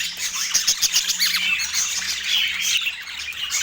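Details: Pet parakeet feeding in the morning in autumn; quick run of sharp chirps, about three to four per second, then a rising and falling squeaky warble with fluty whistled notes.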